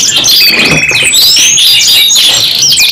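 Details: Canary pair in energetic 'gacor nembak panjang' song, with rapid repeated chip trills, sweeping whistled slides and buzzy high notes packed tightly together, plus a faint low rumble early on.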